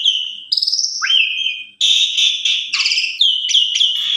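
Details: An Asian pied starling (Gracupica contra) in bold, full-repertoire song gives a loud, varied run of high whistles, rising slurs and rapid chattering notes, used as a lure to provoke other starlings to sing.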